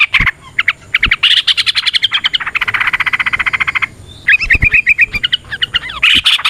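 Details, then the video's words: Yellow-vented bulbul with ropel variations used to prompt other bulbuls to sing: scattered sharp notes build into a rapid buzzy rattle, pause, then resume as a string of quick bubbling whistles. "Suara Burung TRUCUKAN gacor ROPEL VARIASI NROTOK NGECUPLIK pancingan trucukan agar JADI trucuk GACOR"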